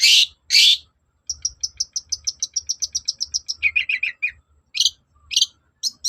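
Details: Long-tailed shrike in vigorous song meant to lure shrikes into answering: two harsh rasps, then a fast, even series of high ticking notes, a lower chattering run, and more scratchy bursts.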